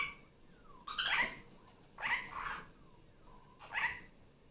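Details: Pet female superb parrot (Barraband parakeet) calling loudly during Sunday morning playtime after coming off her nest. Three harsh, rasping squawks spaced about a second apart, each broad and noisy, over a low indoor hum.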